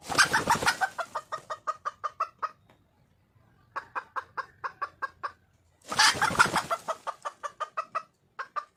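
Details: Red junglefowl hen in the wild calling to attract a male, giving fast runs of short clucks that start with a loud raspy burst, pause for about a second, then resume with another harsh burst.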